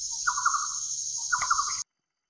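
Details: Indochinese barbet in Cambodia, watched through a telescope: two short bursts of rapid, rolling mid-pitched notes about a second apart, over a steady high insect-like hiss that runs throughout.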